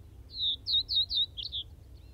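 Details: Common Reed Bunting at Wakka Primeval Flower Garden in Hokkaido delivers a brief phrase of four evenly spaced high chirping notes ending in a quick double note, over quiet low-frequency background hum.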